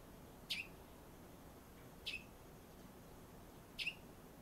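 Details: Sparrow, the first to visit that day in early February before flying off, gives three short, high chirps about one and a half seconds apart over a quiet background.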